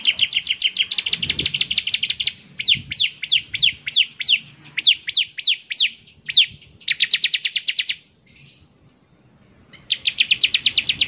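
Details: Bar-winged prinia (ciblek semi) in lively song that is said to get other ciblek semi singing too; fast, even trills of high ticking notes alternate with runs of slower sharp sweeps, with a short pause near the end.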